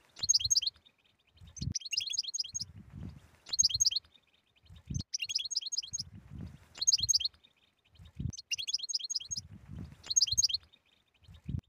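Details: European goldfinch 'batbata' song aimed at prompting silent goldfinches to sing: quick, bright twittering bursts with buzzy trills, recurring at a steady rhythm, with soft low thumps between phrases.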